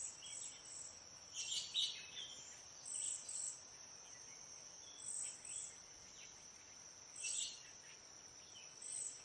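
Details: Backyard cedar waxwing flock, birds passing berries and insects: repeated high, thin lisping whistles in clusters every second or two, a continuous high insect buzz beneath, and occasional lower chirps from other birds.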